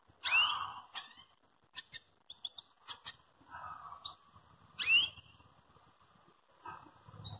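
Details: Belgian canary calling to provoke and train another canary to sing: sharp descending chirps and short high ticks, a few brief chattering notes and a soft trill, scattered across the clip with quiet gaps.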